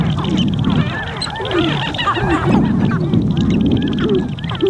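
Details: Sharp-tailed grouse gathered on a lek during spring in Montana: dense overlapping clucks and brief whining notes, several birds calling at once, partly masked by steady low wind noise recorded from a blind.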